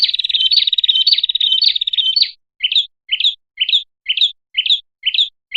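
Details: Prinia lure recording: a buzzy, quickly pulsing trill of about two seconds, then around seven short, sharp chirps, one roughly every half second.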